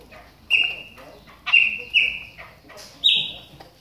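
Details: Calls of a caged Chopi blackbird warming up during its moult: four strong whistled notes, each held briefly and gently falling, the last one higher, spaced roughly half a second apart.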